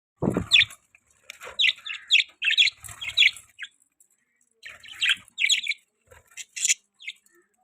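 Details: Budgerigars in an outdoor aviary chirping in short bursts of buzzy, warbled notes, several phrases with brief pauses, opening with a low thump.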